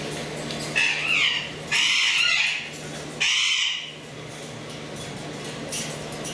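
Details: Congo African grey parrot chicks in a nest box, giving harsh, buzzy rasping begging calls in three loud bursts of about a second each, separated by short pauses, over a steady low hum.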